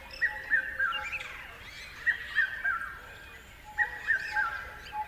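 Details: Bird calls with a repeated three-note descending whistle, given about every one and a half seconds, over light chirping of other birds.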